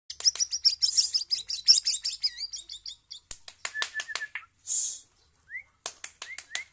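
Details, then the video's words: White-rumped shama singing a fast run of varied clear whistled and chirping notes, then sharp clicks, a rising slurred whistle and brief soft rushing bursts, with quiet pauses between phrases. "Murai batu f4 pastol"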